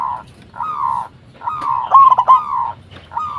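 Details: Local zebra dove calling to lure other zebra doves into responding. Long level cooing phrases repeat about three times a minute-second rhythm, with a trembling stuttered section in the middle phrase.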